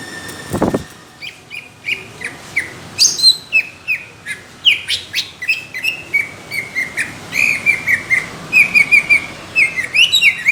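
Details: Competition-style song of a cucak ijo, or greater green leafbird: a long string of clipped, downslurred whistles and buzzy bursts building into rapid, thick chattering runs toward the end; a brief low thump near the start.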